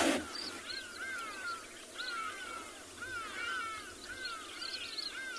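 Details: Hadeda ibis calling in the background on a morning game drive on 9 November 2020 at a private game reserve in South Africa: a series of harsh, arching caws about every second, with other birds calling faintly.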